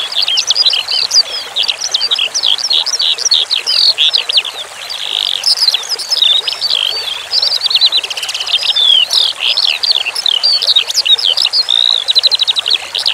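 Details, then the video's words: Skylark pouring out a long, continuous high song of fast, jumbled chirps, trills and looping whistles, hardly pausing, while water trickles steadily underneath. "Masteran Suara Branjangan Sky Lark"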